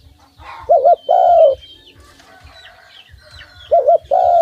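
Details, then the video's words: Pet dove that is fed by hand and sings on approach, giving two low coo phrases, each a quick two-pulse note then a drawn-out falling note, with thin chirping in the background. "An Awesome Dove Sound"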